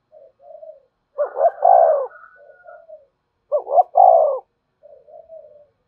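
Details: Spotted dove cooing to lure wild doves to come fast to the perch. Two full phrases, each a quick double note and a long mellow coo, separated by quiet, softer coos from a second bird.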